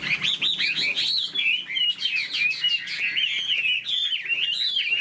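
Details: Chinese hwamei kept in a cage, tail spread and wings flicking, pours out fast, varied whistled phrases with sharp upward and downward slurs, loud and continuous with brief pauses between bursts.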